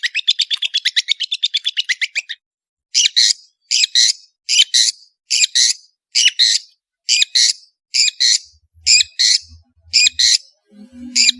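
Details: Cendet, the long-tailed shrike, starts with a rapid rattling series of short notes, then breaks into loud harsh double notes repeated about every half second, with a faint low rumble near the end.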